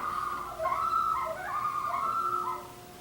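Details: A Common Loon gives its tremolo, used as a distress or alarm call warning of danger and also in flight to announce its presence. It is a wavering, quavering laugh-like call trembling around one pitch for about three seconds, over a faint hum.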